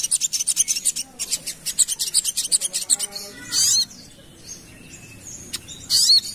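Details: Ruby-cheeked sunbird song used as a lure to draw responses from other birds: rapid high rasping buzzy notes repeated in bursts, then a pause and thin high sweeping chirps.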